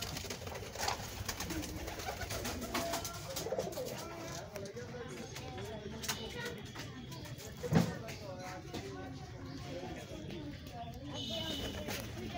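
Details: Pigeons in a pigeon house coo in soft, low, rolling phrases amid a murmur of background noise and faint voices.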